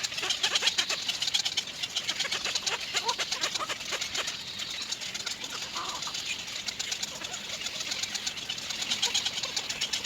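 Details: Little egret chicks in their nest, waiting for the mother to return with food, keep up a rapid, dry, clicking chatter, harsh and high, pulsing in bursts without pause.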